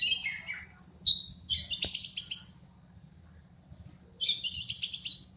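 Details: Oriental magpie-robin (kacer) singing in the batuk style: bursts of varied high whistles and scratchy rapid notes, a descending slurred phrase at the start, then dense chattering phrases after a pause, over a steady low hum.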